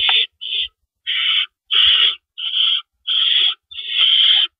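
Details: Owl calling at the nest during the night of April 4, 2012, as rabbits are delivered: seven coarse, noisy screeches, short ones first then longer, spaced by brief gaps, a few faint bumps below.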